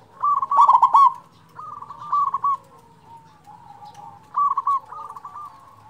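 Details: Local zebra dove song used to stimulate quiet zebra doves: a loud rolling coo burst at the start followed by softer, evenly trilled coo phrases and a quiet gap.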